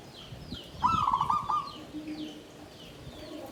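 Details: Zebra dove in a bamboo cage giving klabang kapipit, tumpang sari style song, 'klarr kete kuk kuk': one short phrase of rolling, trilled coos, then faint background birds and low thumps.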